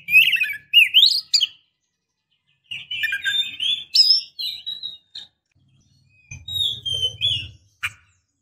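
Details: Female Oriental magpie-robin calling the male. Upslurred whistles and buzzy chatter in two bursts, with a low rumbling noise near the end.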